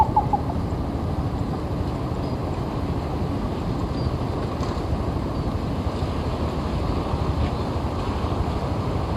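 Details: Steady, loud low rumbling like a passing vehicle or engine fills the whole stretch, with no clear animal call.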